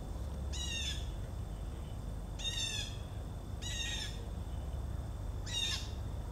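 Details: Blue jays calling in the background on 4 September 2014: four harsh, nasal squawks spaced one to two seconds apart over a steady low outdoor rumble.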